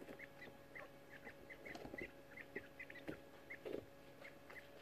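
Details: Young quail eighteen days old in a brooder box, climbing over each other; quick, thin peeping notes come in loose clusters, mixed with occasional louder scuffling taps and a constant faint hum.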